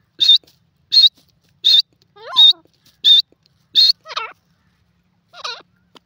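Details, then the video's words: Francolin (teetar) repeating short, high, piping notes about once every second in a regular series, mixed with a few lower wavering, descending notes. "the best teetar best awaaz"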